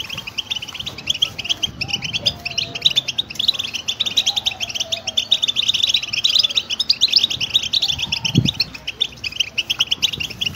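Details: Continuous European goldfinch song for stimulating a goldfinch to sing, a busy, high, tinkling twitter of quick chirps running throughout, over a faint low hum with an occasional soft thump.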